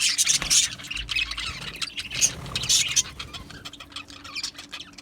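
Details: Budgerigar colony in an aviary, a crowd of birds chattering at once; bursts of shrill squeaks and squawks over a steady wash of high, scratchy twitter.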